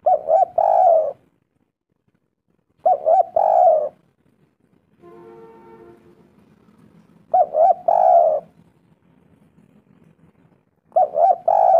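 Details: Spotted dove lure recording to provoke replies: four bursts of quick stuttering coos ending in a longer coo, spaced roughly every three to four seconds, with a faint tonal hum between the second and third bursts.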